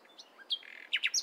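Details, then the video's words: Nightingale singing in the morning: a short run of high, thin chirps and slurred whistles, ending with several loud, sharp downslurred notes in quick succession. "Nightingale Singing In The Morning"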